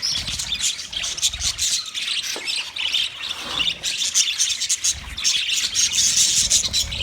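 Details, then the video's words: Budgies twitter and squawk continuously, a dense run of scratchy chirps and thin whistled squeaks, with soft low background noise. "Best Sounds Of Budgie Bird"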